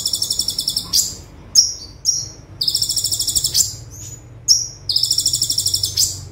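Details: Full tembakan song of an olive-backed sunbird, used as a tutor recording: three long, dense buzzing trills separated by sharp high downslurred chips and a thin whistle; soft low background noise.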